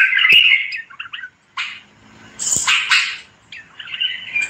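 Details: Bulbul song made of scratchy warbles followed by harsh, noisy bursts, then a softer warbled trill at the end. A brief quiet pause separates the phrases.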